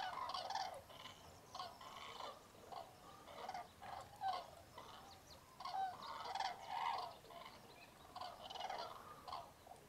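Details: Cranes at a packed winter roost in Tablas de Daimiel National Park, Spain, at dawn in freezing fog in mid-January. Repeated clusters of bugling calls rise and fall over a murmuring chorus of many more birds.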